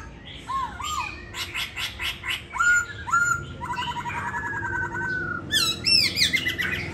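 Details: Caged laughingthrush kept at a home in Hanoi, Vietnam, with its tail feathers moulting, singing loudly: clear whistled notes with rising and falling slurs mixed with harsh, buzzy, rattling bursts and rich chattering phrases in quick succession, with faint room noise.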